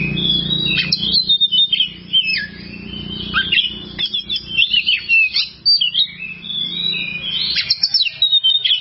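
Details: Oriental magpie-robin, a long tutor recording for training kept songbirds: a dense run of loud, varied whistled phrases with quick rising and falling slurs and sharp chips, broken by brief pauses, over faint low hum.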